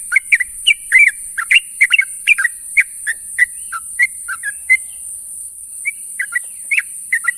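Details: Calling to its companions at morning, a sooty-headed bulbul gives lively clusters of liquid whistled chirps that thin out into single notes, then resume, over a continuous high hiss.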